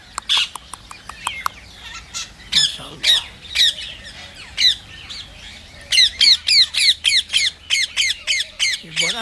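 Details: Rose-ringed parakeets, a group kept by a keeper, give sharp squawks repeated rapidly, over three per second, each screech with bent harmonics; brief human speech before the calls.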